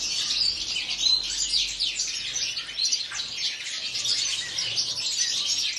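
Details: Several European goldfinches in an aviary chatter together, producing a steady wash of quick, bright, high-pitched twitters and liquid trills that never stops.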